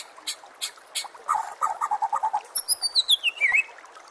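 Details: Contest-training song of a white-rumped shama: a few spaced high chips, then a fast rattling series of mid-pitched notes, followed by a bright descending whistled trill.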